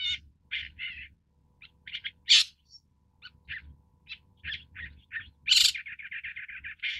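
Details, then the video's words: Long-tailed Shrike, Lanius schach, mixing short chattering chirps with two loud harsh screeching notes, the second leading into a quick rattling string of buzzy notes; faint low background noise throughout. "棕背伯勞/Long-tailed Shrike"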